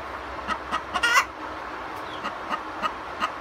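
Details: Several farm chickens give their post-laying egg song: evenly spaced clucks with one loud, harsh, prolonged squawk early on, then clucking continues at a slower pace.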